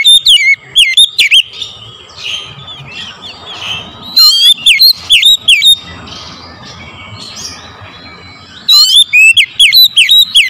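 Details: Oriental magpie-robin singing in the morning, a lure recording for prompting the bird: loud bursts of sweeping, whistled notes with sharp downward slurs, separated by quieter warbling passages and a steady background hum.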